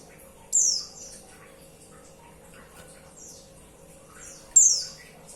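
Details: Female white-eye calling the male: two loud, thin, high descending whistles about four seconds apart, with soft faint high notes and quiet hiss between.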